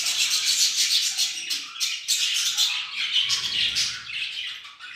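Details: Budgerigars chatter in the evening with a steady stream of high, scratchy warbles and chirps.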